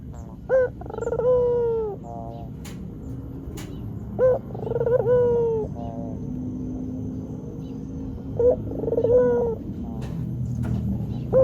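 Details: White Barbary dove lure coo, three phrases spaced about four seconds apart, each a short note, a rolling purr and a sustained falling coo, somewhat softer against a rumbling background with a few clicks.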